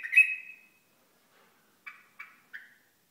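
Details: Hasawi bulbul from Al-Ahsa giving one loud, slightly rising, harsh note. After a pause come three short, clipped, buzzy calls spaced about a third of a second apart.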